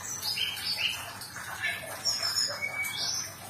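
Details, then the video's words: Sumatran leafbird singing, offered as therapy to help a silent, stressed bird start singing again: quick run of bright whistles and short slurred notes at high pitch, with steady background hiss. "Suara terapi SRDC macet bunyi/stress agar cepat kembali gacor"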